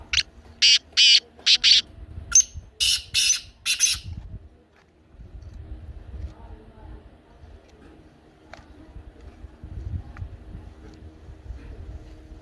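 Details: Black francolin calling, played to make a pet francolin start calling: a run of about seven harsh, grating bursts packed into four seconds, then only a faint low hum.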